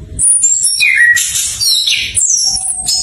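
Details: Orange-headed thrush song played as a lure to prompt stalled birds to sing, a learning ngeplong style: loud, rich whistled phrases sweeping between high and middle notes, with a brief low tone at the end.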